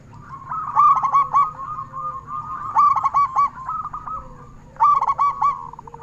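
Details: Local zebra dove with a big voice, singing steadily, used as a lure for other zebra doves: three loud stuttered coo bursts about two seconds apart, linked by continuous rolling, purring coos and a faint lower coo.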